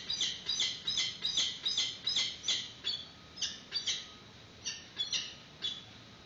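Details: Peregrine falcons at a nest during a chick's first feeding, filmed on a live webcam in 2019 as an adult arrives with a yellow bird. A steady run of sharp, high, harsh squeals repeats about two or three times a second.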